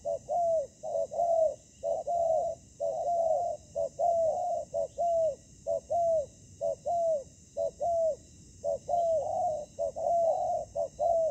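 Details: During ground trapping, a decoy spotted dove faces a combative wild bird. Dense, steady cooing runs through the whole stretch: short notes and longer slurred, falling coos repeated about once a second, almost without break.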